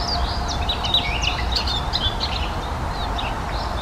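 A Eurasian blackcap sings a fast, varied warble of high chirping and whistled notes, delivered quickly over a steady low rumble of wind or distant traffic.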